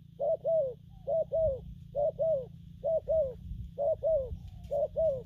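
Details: Spotted dove gù lăn and gù phóng cooing: six evenly spaced doublets of soft, hollow, slightly falling notes, about one pair per second, with a continuous low rumble and a faint high whine behind.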